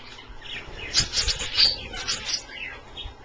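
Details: Australian parrots kept as pets splash in a pie-pan bath and make soft, high, twittering chirps. These come in loose clusters over faint low thumps and background hiss.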